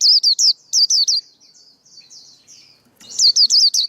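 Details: Male white-eye song used to coach juveniles and attract birds to traps: quick high looping whistled notes, softer warbled notes in between, then a click and another loud run of four notes.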